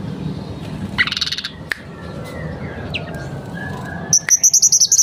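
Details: Mangrove blue flycatcher in full song, showing off its repertoire: a brief burst of high notes, faint thin whistles, then a quick series of about eight sharp high chips near the end over a low steady background hum.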